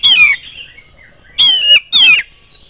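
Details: Oriental magpie-robin in full song, used as a lure to get other magpie-robins answering and singing; three loud, harsh, buzzy notes, each sliding downward, with a short pause after the first and a quiet background.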